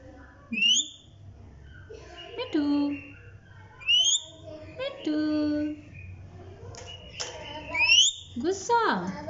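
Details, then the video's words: A talking, dancing parrot mixes short speech-like syllables with quick rising whistles in bursts every second or two, with some lower, voice-like sliding tones near the end, in a quiet indoor setting with faint hum. "Bolny Wala Tota"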